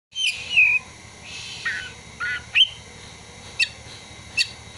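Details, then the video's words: Oriental magpie-robin (kacer) singing material imitating prinia and sunbird calls: sparse clear whistles, one long falling whistle, then short sharp upward notes spaced about a second apart. "Kacer (materi ciblek dan kolibri)"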